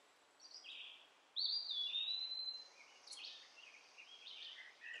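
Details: While being fed orange and mealworms, a young backyard sunbird makes a long thin whistled note, then scattered soft, high squeaky chirps.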